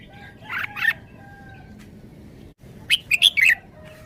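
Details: Caged red-whiskered bulbul singing in the wild-style 'forest song' manner: two bright, quick warbled notes, a pause, then a rapid burst of four clear whistled notes. Faint background hum throughout.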